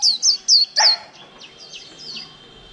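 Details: Caged white-eye in líu song, kept over a month: three loud, high, downslurred whistles, then fainter distant notes fading away.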